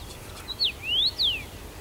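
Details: In Bazel, Belgium, on 7 June 2015, a singing first-summer male Common rosefinch gives a clear whistled phrase of a short note then three long slurs, down, up and down, slightly fainter than nearby background.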